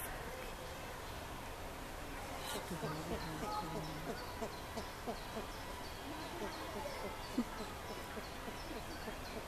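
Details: Snowy owl (Bubo scandiacus) at Ostrava Zoo, feeding its young in June 2015, gives low, short hooting notes among a busy, irregular patter of soft sounds, with faint higher chirps above.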